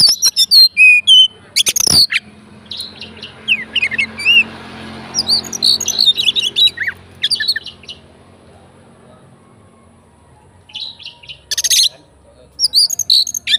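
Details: Fighter Oriental magpie-robin song meant to provoke rival magpie-robins: rapid varied whistles and chattering notes at the start, a quieter stretch with faint rustling, then scratchy bursts and whistles returning near the end.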